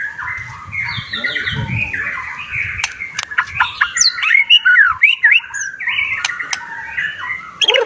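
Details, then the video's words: White-rumped shama song used to provoke other shamas into answering with their full repertoire: a rich, rapid song of varied whistles, harsh squawks, chattering runs and sharp clicks, switching phrases every fraction of a second. "setiap murai yang mendengar langsung nyaut dan bongkar isian"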